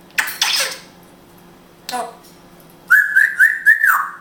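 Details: Indoor pet grey parrot from Israel that speaks Hebrew: a few raspy spoken syllables, a pause, then a clear whistled phrase of four quick upward flicks on one pitch, ending in a falling tail.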